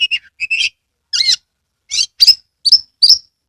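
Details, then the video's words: Caged Oriental magpie-robin from Kebumen, Central Java, singing with tail spread; a few clear chirps, a looping whistle, then three loud buzzy notes ending in sharp squeaks, spaced about half a second apart. "Kacer gacor TANPA IKLAN buka ekor full konslet"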